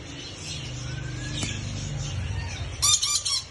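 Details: Blue rose-ringed parakeet (ringneck) indoors gives a brief, harsh, grating screech near the end, after a few seconds of low indoor hum and faint background chatter.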